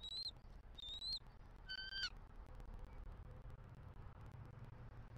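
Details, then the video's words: Bald eagle at a Southwest Florida nest, November 2023, giving a few high, upslurred whistles in the first two seconds, followed by steady low outdoor rumble. "SWFL EAGLES ~ FEEL THE PEAL! 🪶 👑F23 CALLS OUT! 🦅📢 MR. MOM RESPONDS!"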